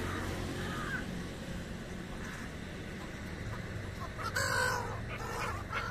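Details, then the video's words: Migratory black-headed gulls (Chroicocephalus ridibundus) in India, described as very noisy, give a few harsh, rasping cries, loudest near the end, over a constant low rumble of wind or distant traffic. "Migratory black headed seagulls Mystery bird: Very Noisy Birds"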